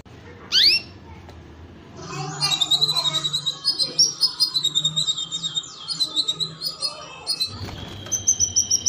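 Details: Canary song used to prompt mating: after a brief rising whistle and a pause, a long run of fast trills and rapid repeated notes, with sweeping slurs, high and bright, continuing to the end.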